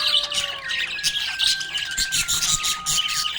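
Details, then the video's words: Budgerigar chirping happily, a rapid raspy chatter over long steady tones that step downward in pitch. "Happy budgie chirping sound"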